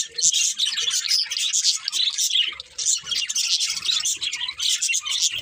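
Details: A group of budgies chirping steadily: fast, high, squeaky twitters and short whistles layered into a lively, almost continuous chatter.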